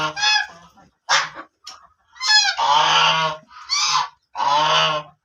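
A black duck gives loud, harsh, nasal quacks, six in five seconds, some short and some drawn out and raspy, with nothing else heard.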